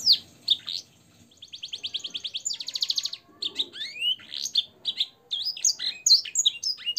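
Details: Canary song for training caged birds, with blackthroat and sanger-style phrasing. Scattered high notes lead into a long, fast, evenly pulsed trill, then a rising whistle and varied chirping phrases. A faint low murmur sits underneath.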